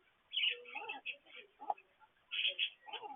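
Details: Indoor petcam catching parakeets during morning activities near a water fountain: two bursts of sharp, high chirps with scratchy chattering notes between them.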